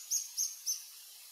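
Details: An adult male Reddish hermit sings on a lek on Sentier des Americains, French Guiana, 1 March 2024 at 15:03, giving three very high, thin, squeaky notes about a quarter-second apart over a faint background hiss.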